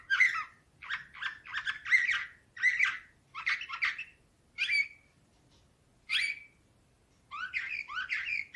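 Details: Canary, Slavujar nightingale-type song, 2024: a series of rhythmic chirped phrases about twice per second, then separate whistled notes after gaps, ending in a fresh run of warbles.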